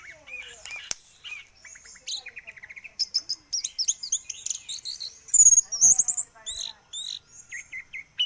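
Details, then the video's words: Orange-headed thrush song: a rapid, varied run of high chirps, trills and short whistled notes. The notes come in quick bursts, with a few louder sweeping whistles near the middle, against a quiet background. "kicau anis merah"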